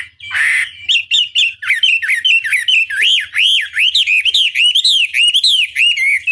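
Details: Vigorous Chinese hwamei song from a long tutor recording meant to provoke rival birds into replying: after a short harsh burst, a steady stream of rich looping whistles, about two to three per second.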